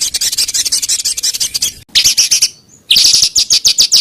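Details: Small songbird performing rough 'tembakan kasar' bursts meant for training contest birds: dense, very high, scratchy notes rattled rapidly, a brief pause and a thin whistle, then another fast burst of harsh chips.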